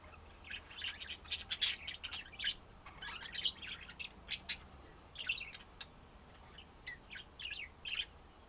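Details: Budgerigar warbling song: a busy, continuous run of chirps, clicks and scratchy squeaks in quick irregular bursts, loudest early on, then easing into looser, spaced chatter.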